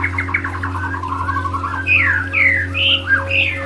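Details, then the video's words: White-rumped shama song for bird therapy: a quick stuttering run of short notes, then loud, rich, sweeping whistles that fall in pitch, each about half a second. A low continuous hum is present throughout. "Audio Therapy Murai Batu"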